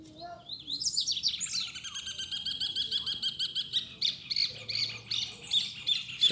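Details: Wild Double-collared Seedeaters singing in the bush, a male with its female nearby; a bright, high, rapid series of chirps and buzzy trills, with faint speech underneath.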